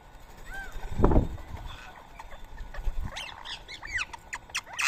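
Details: Rose-ringed parakeets feeding on soaked boiled rice at 7 AM on a Sunday morning, 31 March 2024, in Coimbatore, India. A few arched calls come early, then soft thuds, then a burst of overlapping rising-and-falling squawks in the last two seconds.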